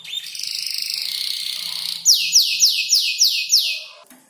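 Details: Canary about five months old, still learning to compose its song by copying tutor birds such as ciblek and prenjak lumut; a steady buzzy trill gives way to six loud descending whistled sweeps repeated rapidly.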